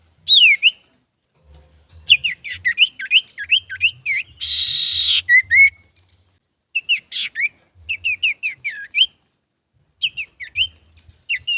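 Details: Male common iora in full song, used to provoke other birds: bursts of quick, slurred whistled notes with a short harsh buzzy rattle in the middle, phrases separated by brief pauses.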